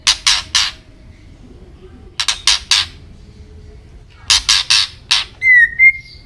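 A white-rumped shama gives clusters of three to five harsh, rasping notes, then ends with a clear whistled phrase that dips and rises.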